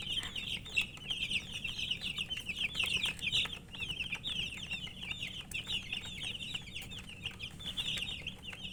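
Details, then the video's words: Baby chickens thirsty for drinking water: dense, continuous high peeping from many chicks, short rapid chirps overlapping throughout with a low background hum. "Murgi chicks Chirping sounds with thirst for drink water"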